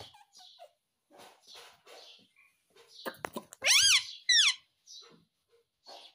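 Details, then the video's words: Indian ringneck parakeet, a pet talking bird in India, mimicking the words "mummy papa". Soft murmurs lead into loud, shrill, wavering vocal sweeps in two bursts, then quiet chatter. "Parrot Speaking Mummy Papa || Talking Parrot || Mitthu mummy papa bolne wala"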